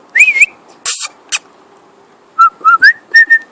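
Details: Male pet cockatiel whistling while flying: a wavering whistle, then loud rushing bursts, followed by a quick run of short clear whistled notes.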